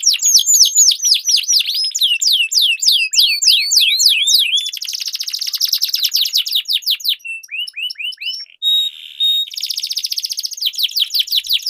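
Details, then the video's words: Dueling canaries singing long rolls as a training lure for contest birds: descending whistled sweeps, rapid buzzy trills, rising slurred notes and a short steady tone, in varied rolling phrases. "Duel Burung Kenari Suara Merdu Ngerol Panjang || Pancingan Ampuh Kenari Macet Gacor Ngerol Panjang"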